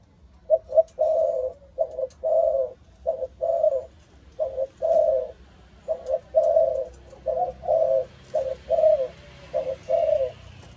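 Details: Spotted dove of a Malaysian line with the 'âm thổ' voice style, giving a long run of low, hollow coos in paired and longer phrases, roughly every second, with quiet room hum behind.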